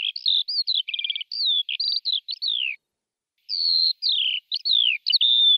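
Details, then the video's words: Lark singing clear whistles, a short rattling trill and long down-slurred notes, pausing for under a second, then more drawn-out falling whistles. "تغريد طائر قبرة الحقول(القوبع) Chant de Alouette des champs"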